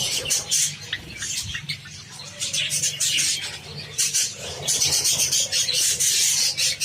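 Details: Java sparrows eating wheat, giving frequent short high chirps and squawky notes in a dense chatter, with some wing flutters and low background hum.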